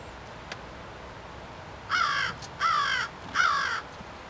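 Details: Black crow calling with three rasping, drawn-out caws in quick succession after a quiet start with a couple of faint clicks, over a constant low hiss.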